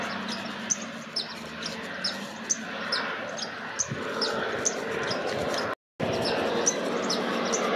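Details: A white-vented violetear calling at La Linda, Campo Quijano, Salta: short, high, clipped chip notes repeated irregularly, set against constant broadband rushing noise, with a brief complete dropout near the end.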